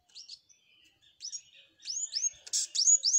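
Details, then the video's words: Singing flowerpecker with canary-like phrasing: sparse thin high upslurred notes at first, building into a faster series of loud, sweeping whistled chirps and a buzzy burst. "Burung Cabe Cabean Gacor isian Kenari"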